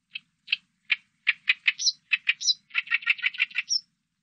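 An Oriental reed warbler gives harsh, croaking chatter notes that speed up into a rapid grating run, with a few squeaky higher notes mixed in.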